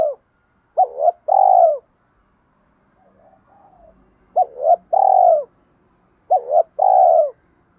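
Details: Three repeated phrases from a spotted dove used as a lure for wild birds. Each phrase is a pair of quick hooting notes and a longer, full rolled coo, with soft murmuring coos during a pause.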